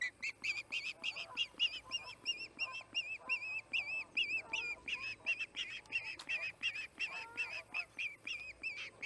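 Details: Osprey screaming at the Charlo nest, August 8, 2018, late afternoon: long run of shrill, wavering whistled cries repeated almost three per second, some notes undulating, with faint background chatter and rustling.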